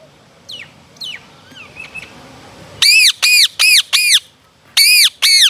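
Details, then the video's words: Rose-ringed parakeet calling: a few faint, thin, falling notes come first. Then six loud, grating, arched screeches follow in two quick bursts, each call sharp-edged and about a third of a second long. "Cute Parrot Calling Natural Voice"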